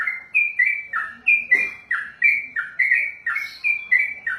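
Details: A kept yellow-vented bulbul delivers its long ropel-style song, a continuous stream of mellow slurred whistles in even rhythm, with a faint soft thump near the middle.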